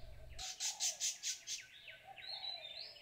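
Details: Indochinese blue flycatcher at Nuy Bird Hide beside Kaeng Krachan National Park, Thailand, giving a different call: five harsh, rasping bursts about four a second, then thin, high whistled notes sliding up and down, over a faint low hum.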